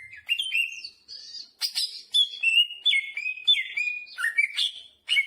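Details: Greater green leafbird singing energetically, its song packed with jamtrok fill-in phrases: bursts of clear whistled slurs and rising and falling notes, separated by brief gaps, with scratchy high overtones in some phrases.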